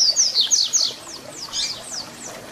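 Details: Papa-capim (double-collared seedeater) song of the 'Tui Tui Zel Zel' type for tutoring young birds: rapid string of sharp high whistled notes, each sliding downward, loud at first then fading into softer repeats.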